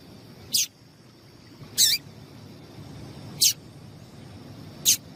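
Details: Female yellow-bellied seedeater call used to excite males: four brief, piercing high chips spaced roughly every one and a half seconds, fairly evenly, with faint steady background noise.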